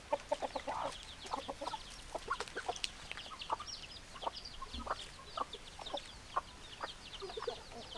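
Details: Hens clucking in short, low, repeated notes scattered through the clip. Many high, quick chirps of small birds fill the background.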